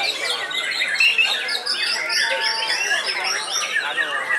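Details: Loud, continuous song from an old white-rumped shama still singing strongly (gantang), a busy tangle of quick rising and falling whistles and scratchy trills layered densely over the whole stretch.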